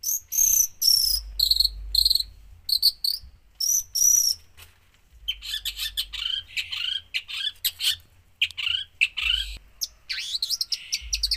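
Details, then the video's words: Long-tailed shrike singing a gacor song full of isian, with bursts of high, sharp chirps followed by a varied run of squeaky, rising and falling notes and brief pauses. "cendet gacor full isian"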